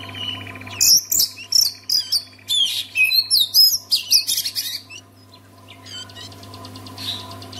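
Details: Song of an Oriental magpie-robin, used to get other magpie-robins singing: a lively string of loud whistled and rasping phrases, some sliding down, for about four seconds before fading to soft distant twitter, with low hum behind.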